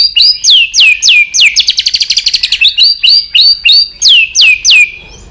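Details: White-rumped shama singing in competition with tail flicking. Loud, clear, down-slurred whistles repeat about twice a second, broken in the middle by a rapid rattling trill, then resume in the same rhythm.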